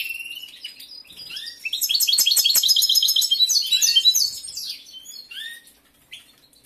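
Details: Male European goldfinch kept indoors in breeding condition, a competition singer, giving a dense burst of fast liquid twitters and trills, preceded and followed by sparse, quieter chirps.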